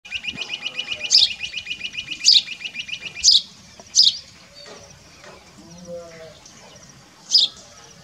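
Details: Rock bush quail in Rajasthan, India, giving a rapid, high, ticking trill broken by sharp, piercing notes about once a second, then a last shrill note; faint low murmurs behind.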